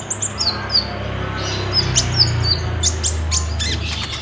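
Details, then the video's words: Olive-backed sunbird singing energetically, played to prompt a caged bird to answer, filmed on a Samsung J5: high thin notes, several sliding downward, then sharp chips, with a low hum beneath. "PAKAI PANCINGAN KOLIBRI NINJA GACOR INI PASTI BUNYI"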